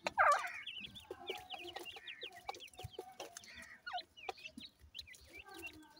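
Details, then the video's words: Grey francolin chicks at feeding time open with a loud warbling chirp, then continue with a sparse series of thin, high peeps and short slurred notes. Scattered clicks and taps can be heard underneath. "calling bird teetar chicks,irani francolin chicks feed"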